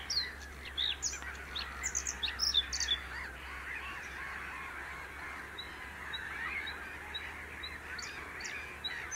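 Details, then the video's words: A bluethroat sings quick bursts of high, sharp, varied notes, then softer scattered phrases over a steady hiss and low hum, at RNR du Grand Voyeux reserve, Seine-et-Marne, France, 2021. "Chant de la Gorgebleue à miroir / Bluethroat"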